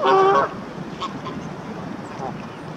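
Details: Canada goose gander on a lake shore, aggressively displaying to impress his mate before a greylag goose chases the pair off: one loud, harmonic, nasal honk lasting half a second, then quiet background murmur with faint distant calls.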